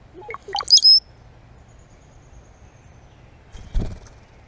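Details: A cowbird recorded up close in Michigan gives a quick run of low gurgling notes ending in thin, very high slurred whistles, all within a second; a brief rustle follows later.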